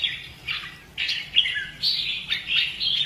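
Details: Red-whiskered bulbul, a caged bird trained for fighting-style singing, gives a run of clear whistled phrases sliding between high and mid pitch, each note rising or falling, with short pauses between bursts.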